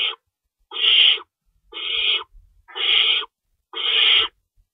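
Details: Nest owls at feeding time, 3:53 AM, 25 March 2012, with two rabbits stored and an adult shredding prey. Four long, raspy hissing screeches follow one another at about one-second spacing, with faint rustling between them.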